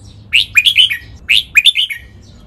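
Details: Red-whiskered bulbul kept in a cage, singing doubled song in the Pa La-u style for copy training: two clear, identical phrases of four or five rising and falling whistled notes.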